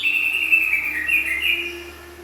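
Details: Greater green leafbird singing a wavering whistled phrase with shifting, slurred notes that fades toward the end, with a faint low steady hum underneath.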